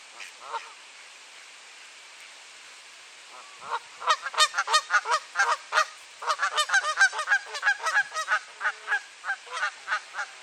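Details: Geese honking during an annual territorial turf war on a clear, cold April morning at 7°C in Sainte-Adèle, Quebec, Canada: a brief honk, a pause, then a rapid run of loud, harsh, repeated honks several per second.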